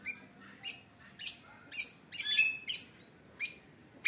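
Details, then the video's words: Caged long-tailed shrike, newly acquired, giving sparse, harsh, high squeaky notes about every half second over a faint background hiss, a short bout from its isian-filled singing. "CENDET GACOR ISIAN"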